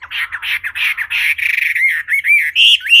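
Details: Wambi bird singing: a slightly rough, blurred series of chattering notes that turns into clearer upslurred whistles toward the end, about three per second.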